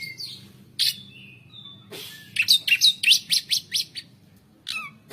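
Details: White-rumped shama song featuring pletik notes: after a few scattered whistles comes a rapid series of about ten sharp, evenly spaced clicky chips, followed by a short falling whistle.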